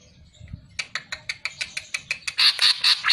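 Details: Greater green leafbird (cucak ijo), masteran recording: a run of dry, evenly spaced ticking notes that builds into a few louder, buzzy chirps.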